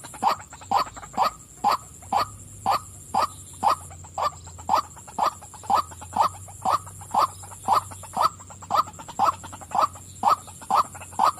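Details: A female white-breasted waterhen calls persistently: loud, evenly spaced 'wak' croaks, about twenty-two in eleven seconds, each one a sharp, nasal bark, over a steady low hum.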